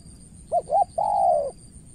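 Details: Spotted dove in Cà Mau, Vietnam, decoy bird versus an experienced opponent: two brief rising-falling coos, then one long, drawn-out level coo that fades away.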